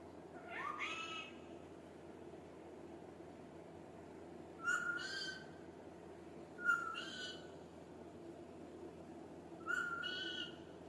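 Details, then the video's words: A pet rose-ringed (ringneck) parakeet talks, giving four short, nasal, speech-like utterances a few seconds apart, each with a slight rising inflection, over a low steady room hum. "ringneck parrot talking"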